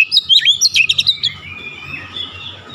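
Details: Oriental magpie-robin shooting-style song: a quick run of sharp clipped notes, about eight in a second, then a drawn-out slurred whistle fading away.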